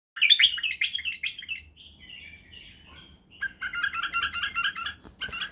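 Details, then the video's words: White-eared bulbul (Badrawi bulbul) tutor song for teaching young bulbuls to sing and do the barwaz: bright bubbly warbled phrases, a quieter gap midway, then a run of rapid repeated two-note chirps. "لتخريج وتعليم افراخ البلابل على التغريد و البرواز وطك الجناح بلبل بدراوي"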